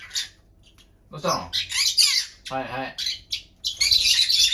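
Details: Pet green-cheeked conure kept indoors, highly excited in the morning and very noisy: harsh, broadband squawks and chattering bursts with short gaps, plus a lower, voice-like harmonic sound in the middle.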